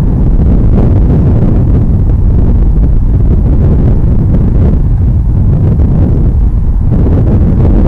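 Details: Loud continuous wind buffeting the microphone, a dense low roar throughout with no calls audible.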